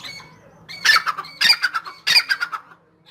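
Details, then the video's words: Dakhni teetar, the grey francolin, in full excitement: three strident, stuttering phrases about 0.6 seconds apart, each a burst of ringing harsh notes, with little other sound. "teetar/tetar ki awaz dakhni teetar /gray francolin full masti mein"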